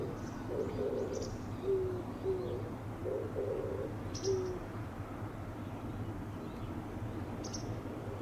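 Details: Oriental turtle dove singing with chest swelling: several low, hollow coos in the first half, then quiet, while sharp high chirps from another bird ring out intermittently.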